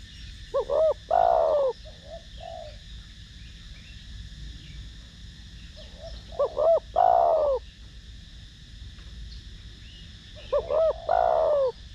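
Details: Repeated cooing from a spotted dove with the 'thổ đồng' voice style, used to prompt other doves to call: three phrases roughly every five seconds, each two quick notes and a long falling coo, with gentle low murmurs between.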